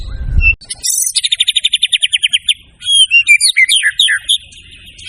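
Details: A white-rumped shama singing a master song for training other birds: a brief low thump, then a steady fast trill of about a dozen even notes, followed by sliding whistled notes that dip and rise.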